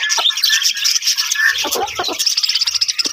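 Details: Many budgerigars in a colony setup for breeding, loud busy chirping and warbling, with faint low knocking sounds in the background.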